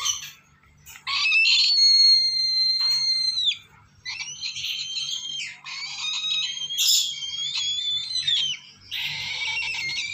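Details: Young lesser sulphur-crested cockatoo begging in long, drawn-out nasal screeches with stacked harmonics, bending downward at their ends, in several bursts separated by short gaps over ten seconds.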